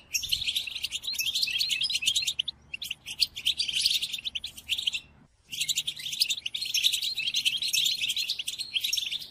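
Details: European goldfinch song for training captive birds during moult: two long bursts of bright, rapid twittering and tinkling trills, split by a short silent gap near mid-clip.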